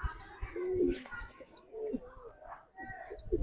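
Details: Giribaz pigeon from a breed collection giving short, low coos with a slight rise and fall, broken by soft thumps and brief gaps; faint high whistly tones in the background.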